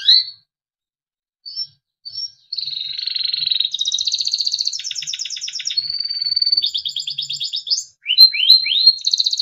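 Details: Timbrado canary, a small yellow bird, singing for training: a few short chirps with gaps, then continuous song of buzzy rattling trills and a long held whistle, ending in rising swoops.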